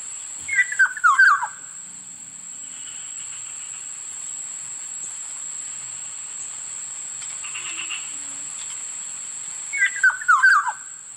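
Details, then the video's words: Two well-spaced calls of a Black-naped oriole, each a quick run of rich, liquid whistles dropping in pitch, separated by about nine seconds of quiet background with a steady high whine. "Sound of Black-naped oriole Huni ng lapiting kilyawan"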